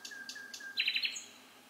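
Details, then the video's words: Night-singing bird giving a few soft level whistled notes, then a quick loud rattling trill of four pulses ending in a high thin note. "Vogelgezwitscher in der Nacht"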